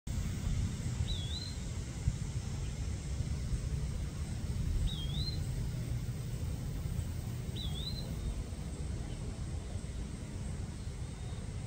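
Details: In a backyard in Kansas City, Missouri, in the morning, an Eastern wood-pewee gives three thin, high, slurred whistles several seconds apart, over a constant low rumble of distant traffic or wind.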